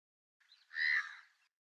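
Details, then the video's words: House crow photographed and recorded in India, where the species is a rare vagrant to Japan; one harsh, nasal caw lasting about a second, swelling quickly then fading, against a silent background. "イエガラス（1）稀な迷鳥（インド） - House Crow"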